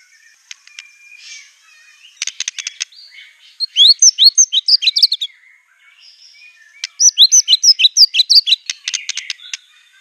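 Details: Aggressive white-rumped shama song with mimicked material of canary, cililin and cungkok; dry rattling clicks lead into two bursts of very high, fast chirping twitters separated by a soft pause, with more rattles between.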